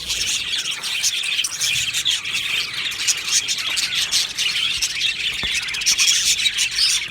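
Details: Aviary budgerigars making constant flock chatter: crowded high chirps, squawks and twittering warbles overlapping, with a couple of sharp clicks partway through.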